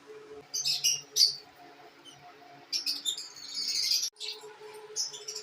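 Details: Pet lovebirds: two sharp, high squeaks, a quiet pause, then a longer run of scratchy, shrill chattering that cuts off abruptly, followed by one more chirp.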